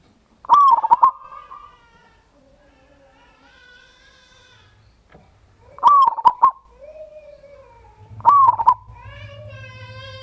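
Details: Local zebra dove song used as a lure to make other doves sing. Three loud rippling cooing bursts come a few seconds apart, mixed with other harmonic calls, apparently from other birds, and a low background hum.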